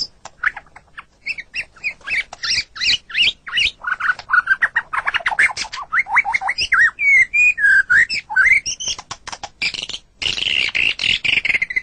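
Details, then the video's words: Kept white-rumped shama song used as master recording for training pet birds: a varied, rapid run of whistles, chattering squawks and sliding notes, some phrases rising and falling, with harsh buzzy bursts near the end. "Suara Burung Murai Batu"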